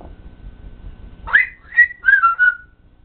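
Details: A pet parrot talking indoors, giving a short run of clear whistled, voice-like syllables after a quiet start: a rising note, then three or four steady tonal phrases over about a second and a half, with faint low room hum.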